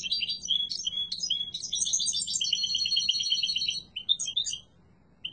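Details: Yellow mutation European goldfinch in strong song: bright chirps open into an extended, rapid tinkling and buzzing twitter, then several scattered notes before it falls quiet.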